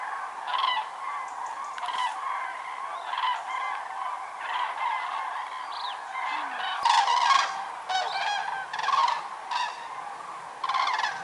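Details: Over 206,000 common cranes gathered on migration at Lac du Der-Chantecoq, Champagne-Ardenne, November 2014: background roar of the flock with loud nearby trumpeting bursts repeating every second or two, strongest in the latter half.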